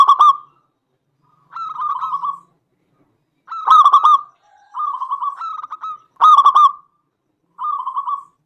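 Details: Lively local zebra dove song for provoking other doves to sing: a series of low, trilled cooing phrases spaced roughly every one to two seconds, loud stuttered bursts alternating with softer rolling coos.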